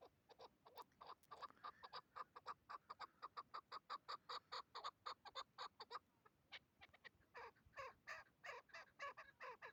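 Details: During a hunt, a hybrid chukar partridge on a tether, used as a decoy, gives long runs of rapid, rhythmic clucking notes, speeding into a dense chatter, then pausing before another harsher burst.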